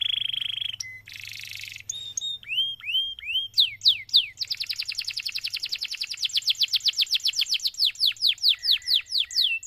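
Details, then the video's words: Canary in long, full-voiced song, used as a tutor recording to draw other canaries into singing: a steady whistle, buzzy bursts and down-slurred notes, then a long rapid trill of falling notes that slows toward the end. "MASTERAN suara BURUNG KENARI GACOR PANJANG || COCOK untuk PANCINGAN KENARI lain"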